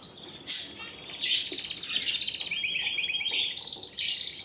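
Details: Canary in strong song: a sharp high note, then varied warbles leading into fast even trills, a rapid rattling stretch, and a closing buzzy high phrase.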